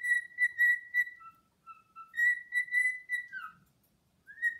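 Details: A male cockatiel serenades an uninterested female with a courtship song of clear, pure whistles, steady and gently falling.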